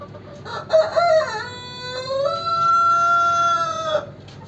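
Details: Bantam chicken crowing: one long, loud, harmonic crow lasting about four seconds. It opens with short rising notes, then a drawn-out, steady, slightly falling tone that cuts off sharply. Faint background noise underneath.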